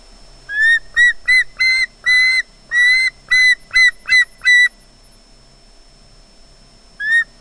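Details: Willow, an osprey at the RSPB Loch Garten nest in Scotland, makes squealy sounds as if expecting fish: a burst of about ten short, squealing whistled notes in quick succession, then a pause, over a faint steady hum.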